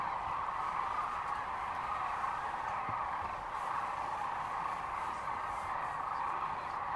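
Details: Sandhill cranes massed at Rowe Sanctuary in Gibbon, near Kearney, Nebraska, on March 13, 2014, calling nonstop: countless overlapping trumpeting rattles merge into one steady, roaring chorus.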